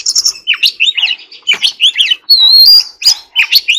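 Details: Song of an Oriental magpie-robin under training, in the forest-voice style. Quick varied phrases of slurred whistles and scratchy notes, a loud sustained high whistle near 2.5 seconds, then more warbled fragments.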